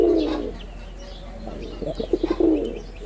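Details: Red-bordered wild pigeon, male, Bangladesh: a low throaty coo fades out, followed by a few soft chirps and a quick stutter of short grunting notes leading into another coo.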